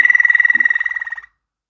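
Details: Brief waterslager canary phrase: a single rapid, evenly pulsed, water-like trill lasting about a second, then fading into silence.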